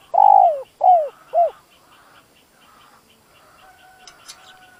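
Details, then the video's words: Decoy spotted dove cooing to provoke and lure wild doves: three loud, mellow, slightly falling coos in quick succession over the first second and a half, then near silence with a faint steady hum. "Tiếng chim cu gáy dùng kích bổi lâu nổi"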